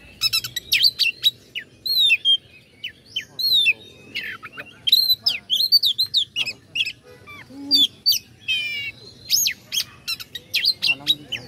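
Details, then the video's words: Oriental magpie-robin singing a long, varied provoking song for rival birds: rapid sequences of bright whistles, slurred upsweeps and short buzzy trills with few pauses. "pancingan kacer agar respo gacor.. kacer ini mampu meningkatkan emosi lawan"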